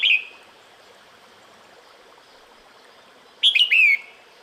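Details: Female red-whiskered bulbul calling the male in the breeding season: a short bright whistled note opens, then after a pause a quick run of clear, warbling whistles that slide downward, over a soft steady hiss.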